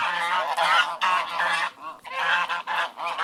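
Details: Ducks in a flock quack together, loud harsh nasal calls overlapping in rapid bursts, broken by a short lull midway.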